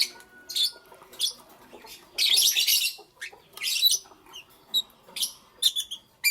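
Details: Lovebirds chirping in the morning: bursts of harsh, high, buzzy chirps and squeaks with short pauses between them, plus a few thin whistled notes, in a quiet setting.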